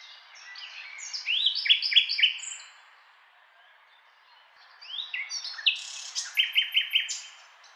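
Common nightingale singing two rich, varied phrases of high chirps and trills, the second ending in a fast run of repeated notes, separated by a brief pause.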